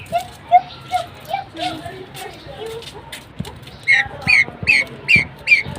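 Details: Kept pheasants: low mixed chatter and background noise first, then five loud, squeaky downslurred notes repeated evenly over the last two seconds.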